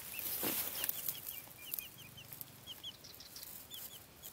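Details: Silkie chicks peeping: quick, thin, high downslurred cheeps repeated rapidly in short runs, over a steady hiss and some low rumble.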